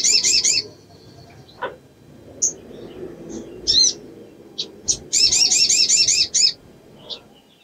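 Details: Sogok ontong female in breeding condition calling to males: a short high trill burst, scattered sharp chirps, then a longer rapid wavering trill of about one and a half seconds.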